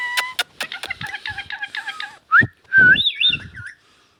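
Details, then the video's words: Ringneck parakeet described as talking produces a rapid series of nasal, harmonic-rich chattering notes, then two loud sharp rising-falling whistles and a wavering high trill that fades out. "talking I•ndian |king| Parrot |Indian ||dancing to |magical |ringneck| parrot |amazing |ringneck|"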